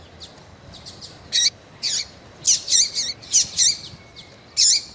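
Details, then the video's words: Female double-collared seedeater from Brazil calling to stir a male; soft high ticks lead into a run of loud, buzzy, downward-hooked chirps spaced about a third of a second apart. "FÊMEA DE COLEIRO QUENTE CHAMANDO MUITO FOGOSA E PIANDO - ESQUENTE SEU COLEIRO FRIO"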